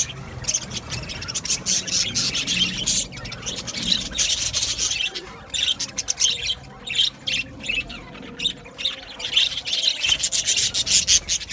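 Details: Many budgerigars chirping in an aviary colony, bursts of dense high scratchy chatter alternating with brief quieter gaps.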